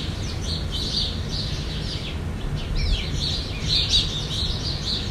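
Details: Jandaya parakeets (Aratinga jandaya), a Brazilian species, give a steady stream of shrill, overlapping chirps and screeches, as from several birds, over a low rumble.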